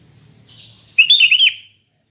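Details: One bright, bubbly, warbling phrase from a sooty-headed bulbul singing in the easygoing ngeplong style, preceded by a faint hissy note.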